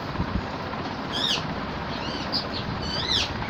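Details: Two sharp, down-slurred squawks from an Alexandrine parakeet, about two seconds apart, with softer chirping notes between them over constant low background noise.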